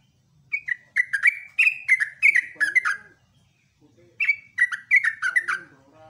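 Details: Yellow-vented bulbul, known locally as trucukan or jogjog, singing in the morning in the lively ropelan style used as a tutor recording: bubbly, slurred whistled notes dropping in pitch, delivered in rapid bursts of five to seven with short pauses.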